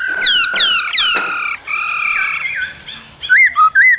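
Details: Laughingthrush pair in the cold season, male singing and dancing with female calls; harsh descending harmonic notes give way to a long flat whistle, then bright looping whistled phrases.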